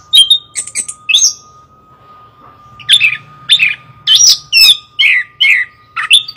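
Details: Chestnut-capped thrush pouring out a loud, varied song of sharp chips, slurred whistles and rapid trills, pausing briefly midway before resuming with dense repeated phrases; a steady electrical hum and faint low noise lie beneath.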